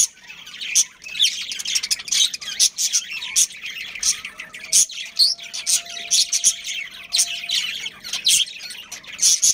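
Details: Budgerigar colony with a breeding pair, captive: a continuous warbling babble of thin high chirps and squeaky notes, punctuated by louder sharp tweets every second or so.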